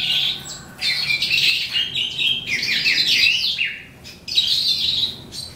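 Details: Eastern calandra lark singing as the day ends, a lively, varied sequence of chirps, grating buzzes and short descending whistled notes, with a brief lull before a final burst.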